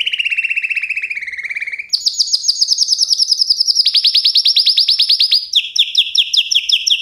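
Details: Nonstop canary song in trilled tours. A lower rolling trill gives way to a much higher rapid trill, then a run of quick downward-curving notes, all loud and clear.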